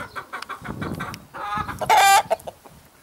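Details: A Red-Saddled Yokohama rooster with his hens gives a brief, harsh crow that swells into one loud, strained, level note; soft clucks and light clatter come before it.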